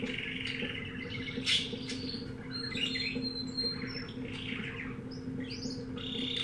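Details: Canary of unknown type, recently bought from a pet shop, singing: loose phrases of high chirps, slurred notes and a sharp squeaky note near the start, set against a constant low hum in the room.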